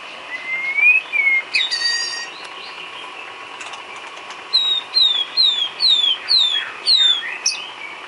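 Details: Isian filler song of a White-rumped shama for training cage birds: a rising whistle and a short buzzy note, then a run of six quick, sharp descending whistled notes repeated about twice a second.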